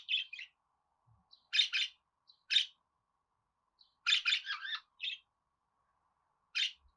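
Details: Sparse budgerigar chirps, mostly single or double sharp buzzy notes, with one longer chattering run in the middle, separated by quiet pauses over a faint steady hum.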